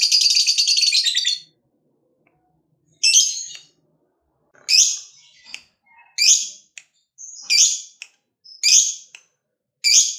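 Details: Fighter lovebird, a kept bird, calling to prompt other lovebirds to sing: a brief dense chatter, then sharp high chirps in short bursts, spaced roughly one second apart.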